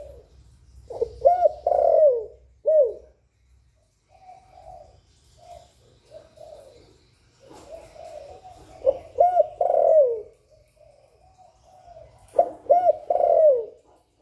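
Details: Spotted dove cooing in a direct recording with no background noise, meant to stimulate kept doves to call. Low mellow coos come in bursts of three to four rising-then-falling notes, separated by softer murmured cooing and a faint hum.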